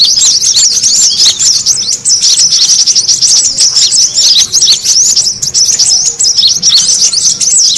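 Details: Noisy lure recording of brown-throated sunbirds, meant to draw birds in: continuous high-pitched twittering of many quick, sharp, overlapping chirps packed closely together throughout, with no gaps or background sounds.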